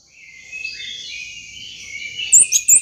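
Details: Orange-headed thrush song used to coax a silent caged bird into singing: a soft, continuous rambling warble of high notes, ending in a few loud, sharp upslurred whistles.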